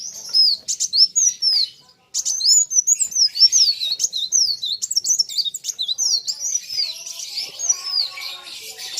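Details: Sunbird in a singing duel with a rival: bright high chirps and looping, downward-curving whistled notes, a brief break, then a dense, busy stream of shrill twittering.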